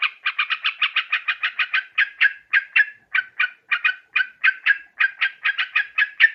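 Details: Sooty-headed bulbul lure call for catching birds, Borneo: a steady series of short chirpy notes, fast at first then spaced roughly three per second, loud and clear with no other sounds.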